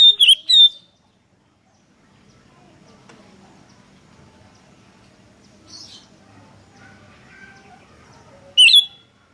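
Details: Sooty-headed bulbul chattering lively: two quick, bright, slurred notes at the start, then a long quiet stretch with a soft low hum and faint distant chirps, and one loud chirp near the end.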